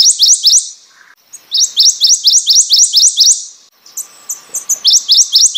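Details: Prothonotary warbler delivering its ringing song, strings of quick, bright, rising notes repeated evenly, three phrases in a few seconds, with thin high chirps from other birds and a faint low hum in gaps.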